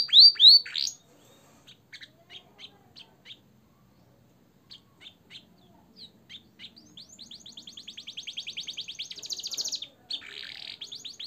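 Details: Caged canary singing a training song with blackthroat and sanger phrases: a few loud high whistles, scattered short chirps, then a fast even trill of rapid notes and a buzzy burst.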